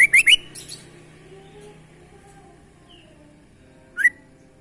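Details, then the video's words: Sooty-headed bulbul singing actively with strange sounds: a quick burst of three sharp rising whistled notes, then quiet, then one more brief downslurred note near the end. "kutilang gacor suara aneh"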